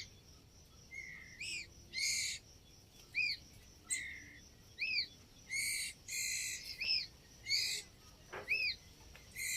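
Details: Young white-rumped shama (murai batu) giving short arched whistled notes repeated roughly every second, mixed with brief harsh scratchy bursts, over a steady background hiss.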